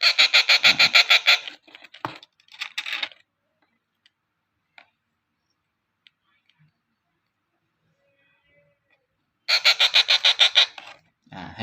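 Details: A hand-fed rose-ringed parakeet (Psittacula krameri) chick, kept indoors and just fed but perhaps not yet full, gives harsh, rapid screeches, about three a second, in two loud bouts separated by a quiet gap with a few faint knocks.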